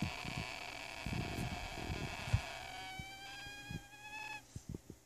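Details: A young Ducorps's cockatoo, one of a pair (male about 3 months, female 2 months old), gives one long, steady, nasal whine of about four seconds that rises slightly, over low thumps and handling noise, at 1:39 AM.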